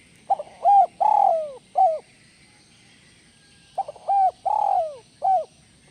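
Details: Two full 'kuk 1 melambung' style phrases from a spotted dove, roughly three and a half seconds apart. Each has stuttered opening notes, a held coo, a long rolling downward coo, and a short last coo.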